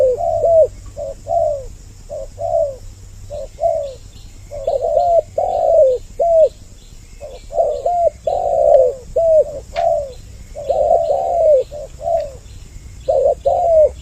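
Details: Spotted dove lure sound meant to bring males and females closer, with two doves calling: repeated soft coo phrases of two or three notes over fourteen seconds, and faint high chirps in the background.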